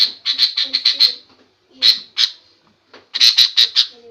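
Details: Female sooty-headed bulbul giving noisy lure calls meant to provoke other birds into answering aggressively: loud harsh squawky bursts in quick runs of four to six, separated by short pauses, with faint lower chatter beneath.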